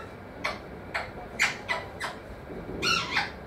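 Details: A talking pet parrot gives a run of short, harsh squawks about every half second, then a longer, rougher double call at the end. Its spoken repertoire is said to include mithu, mummy and papa.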